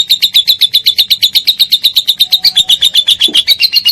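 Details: Ngekek panjang of a lovebird, played to train cendet, murai batu and cucak ijo: a continuous run of piercing, regularly repeated chips, roughly four each second, steady in pitch with a brief low knock near the end.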